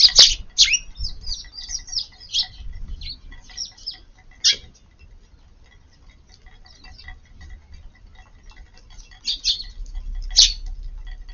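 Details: Several Eurasian tree sparrows feeding in a garden around midday on 4 April, under overcast skies before expected rain; scattered short high chirps in loose bursts, with a few sharp clicks and quiet stretches between.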